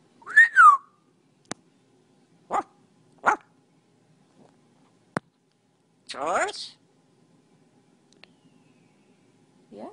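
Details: George, an African Grey parrot seeing himself in a selfie-mode phone camera, tests it by barking and trying sounds: a rising-then-falling whistle, sharp clicks, short voiced bursts and a rough bark-like call, with quiet gaps between.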